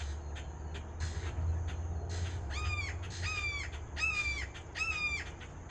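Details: Red-shouldered hawk calling: after a few faint notes, four clear ringing down-slurred screams follow at regular intervals, backed by a constant low-pitched rumble.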